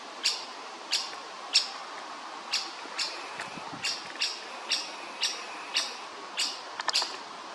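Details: Woodpecker chick demanding food: a steady string of brief, sharp, high chirps about every half second, with a quick double note near the end, against soft background hiss.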